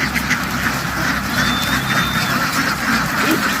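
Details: Loud flock of ducks in a field after running into water and jumping ashore; busy, raspy quacking fills the scene alongside a faint high whistle and constant low rumble.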